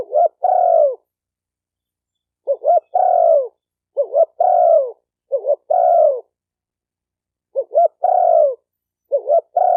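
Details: Spotted dove cooing for training a newly caught bird. After an opening phrase and a pause come five more phrases, each two clipped rising notes and a longer, softly falling coo, with a clean silent background.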